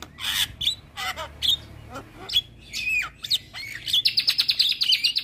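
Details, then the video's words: Javan myna in continuous song: harsh chattering bursts and slurred whistles, ending in a fast, even series of about fifteen sharp, ringing repeated notes. "Masteran Juara Burung Jalak Kebo Gacor Tak Henti Henti Ngoceh Seharian"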